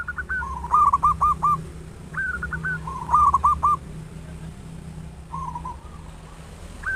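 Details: Local zebra doves singing as a lure to stimulate others. Two voices alternate: higher hooked notes, then lower rapid coos, in phrases repeated about every two seconds.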